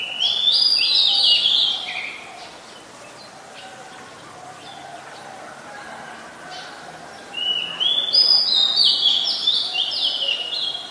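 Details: Oriental magpie-robin singing in Ubon Ratchathani, Thailand, on 26 July 2022, recorded with a Nikon P1000: two loud bursts of rich, varied whistled phrases, high and tumbling, separated by a quieter gap of several seconds.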